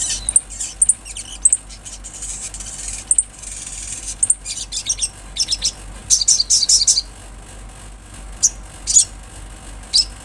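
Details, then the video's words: Olive-backed sunbird singing in scattered bursts: brief high, thin notes and short sharp trills separated by pauses, with a denser chattering burst near the middle, over a quiet background. "Sogon gacor suara Asli Alam"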